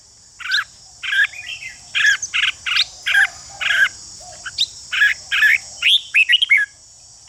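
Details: Red-whiskered bulbul singing to provoke fighting song in other bulbuls: a long series of rough, buzzy notes at a steady pace, ending in fast rising whistled flourishes, with a steady shrill insect-like background.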